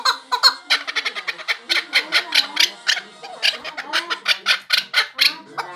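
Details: Male chukar partridge giving fast, uneven, harsh chattering clucks, roughly four per second, with some overlapping notes.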